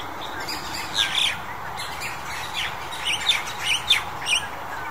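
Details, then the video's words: Crested Myna calling in February 2021: scattered short, sharp chirps and harsh squawky notes, a burst near the first second and a run of quick notes toward the end, over a steady background hiss. "八哥 Crested Myna"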